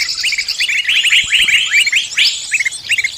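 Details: Lure recording for trapping birds: quick sharp chirps and hooked whistles tumbling over one another, several birds calling together in a short energetic burst.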